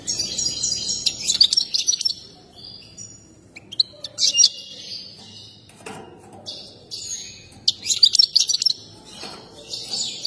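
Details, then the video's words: European goldfinch, excited and dancing, giving a mating song liked by breeders; scattered bursts of high, sharp twittering chirps and brief trills separated by quieter pauses. "تغريد حسون هائج مع اجمل الرقصة المفضل لدى المربين"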